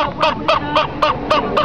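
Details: Featherless chicken pushed to the ground, giving an odd, funny sound: seven nasal, honking calls about one every quarter second, steady and even in pitch, over constant background noise.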